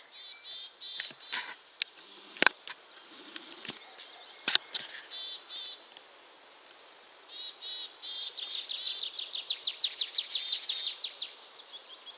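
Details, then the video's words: Willow tit at 51.950609, 20.114712, giving high, buzzy notes that end in a fast run of about a dozen harsh, repeated notes (song or contact calls, possibly with an annoyed Great tit), with sharp clicks and faint hiss. "Willow tit / Czarnogłówka"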